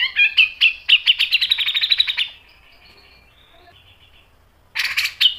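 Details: Grey-cheeked bulbul singing in the sharp 'mbeset' and 'nembak' manner used to tutor birds. Varied chirps open the song and merge into a fast, steady trill of pulsing notes lasting about two seconds. A faint hum follows, then a new harsh burst starts.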